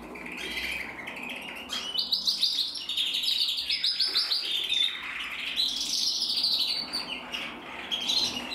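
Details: Song of a captive male red mosaic agate canary, bred in Germany in 2024: chattering, rapidly repeated high trills and sweeping whistled notes in a steady flow, strongest in the middle and closing phrases.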